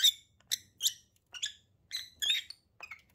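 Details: Lovebird couple trading shrill, clipped chirps, six or seven separate notes spaced roughly half a second apart.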